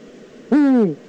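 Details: One Eurasian eagle-owl call from the Eifel, 9 September 2014: a loud, raspy, strongly harmonic note of nearly half a second that starts abruptly and slowly falls in pitch, over quiet steady background noise.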